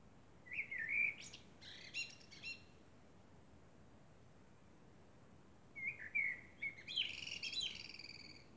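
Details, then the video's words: A common blackbird sings under the moon at night, two phrases several seconds apart, each a rich whistled opening followed by a scratchy, high twittering flourish, with silence between. "Blackbird sings under the moon"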